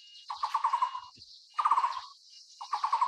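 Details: Calls of a Taiwan Barbet feeding its chick: three quick trills of low, hollow notes, each slightly falling at the end, with a continuous high buzzing background.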